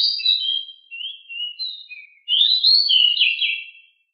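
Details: Household pied bushchat (decu) singing continuously for a training master: a run of thin slurred whistles and buzzy notes, then a second louder scratchy warbled phrase before silence.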